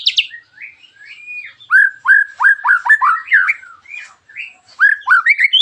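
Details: Sharp, rough 'tembakan' song of a white-rumped shama (murai batu), played to provoke other shamas into singing; fast repeated downward-slurred whistles of about five per second, mixed with higher chips and short warbles.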